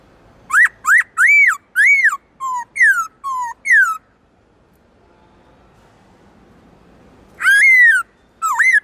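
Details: Black-throated laughingthrush in full song, eight bright arching whistles in quick succession, a silent stretch of a few seconds, then two more looping whistled phrases; rich, ringing tone.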